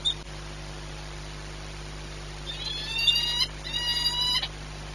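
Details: Peregrine falcon at Płock, Poland, recorded 22 March 2021 at 14:39; after a quiet start, two harmonic, wailing calls rise over a steady low hum, each lasting under a second.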